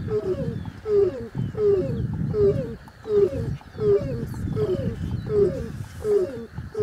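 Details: Crowned crane calling steadily, about nine honking notes spaced under a second apart, each followed by a lower resonant boom, with a rhythmic pulsing feel; distant high twittering birds behind.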